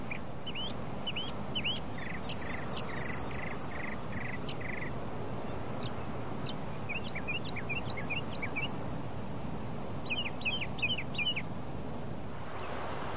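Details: Piping plover at Plymouth Beach, Massachusetts, in 2011, giving short, clear piping whistles in quick bursts, some flat and some sharply up-slurred, over a steady roar of surf and wind.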